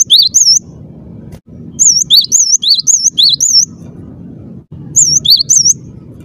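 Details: Cinereous tit, locally gelatik batu, singing with a clear, persistent voice: quick series of high, wavy whistles, each a rising-falling twist, delivered in three bursts separated by short gaps, with low hum behind.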